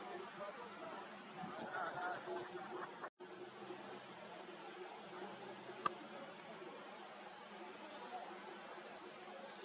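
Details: Dunnock (Prunella modularis) call: six thin, high, piercing 'tseep' notes, each brief and spaced one to two seconds apart, over a faint low background rumble.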